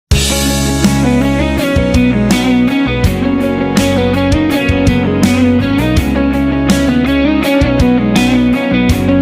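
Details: Strummed guitar music with a steady beat fills the recording, with no animal sound.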